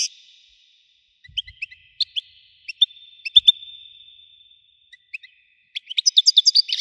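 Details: European goldfinch of the Widani type, described as having a powerful voice. Sparse high chirps and twittering notes come with a long gap and a thin steady whistle, then a dense burst of rapid tinkling notes at the end.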